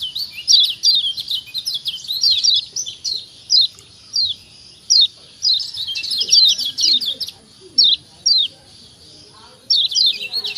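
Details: Lombok white-eye (kecial kuning), kept as a cage bird, giving calls meant to prompt other white-eyes to answer. Quick, sharp downslurred chirps arrive in dense clusters, then spaced single bursts about every second or so.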